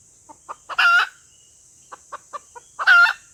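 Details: Lure call of a female red junglefowl, two loud raspy cackles framing a run of soft, evenly spaced clucks, steady high hiss in the background.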